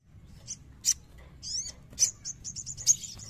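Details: Crimson sunbird, an untrained bird, provoked into singing: thin, very high chirps and short sharp notes, scattered, then a quick run of evenly spaced high notes near the end, over a low background hum.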